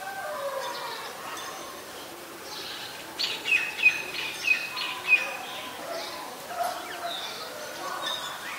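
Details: White-vented myna (Acridotheres grandis) in Ubon Ratchathani, Thailand, 26 December 2020: a quiet stretch, then four sharp high chirps in quick succession around mid-clip and a softer note after, over steady outdoor background hiss.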